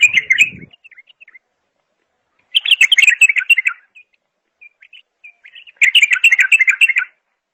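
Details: Three lively bulbul song phrases of rapid sweet chirping, each followed by a few soft isolated notes, with a brief low rustle at the very start.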